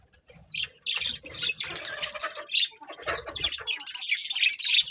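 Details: Budgies keep up a dense, busy warble of high chirps and scratchy squawks, overlapping without pause, with soft low bumps beneath at times.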